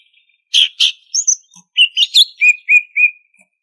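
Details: Lively greater green leafbird song from Banyuwangi with full fill: two harsh bursts, paired high squeaks, mixed chattering notes, then three clear level whistles evenly spaced.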